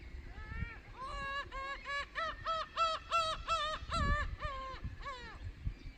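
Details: Gulls on a rocky shoreline at Takide, Noto Peninsula, Japan, in May 2019, giving a long rapid series of nasal, harmonic laughing cries, about three per second, with low wave noise beneath.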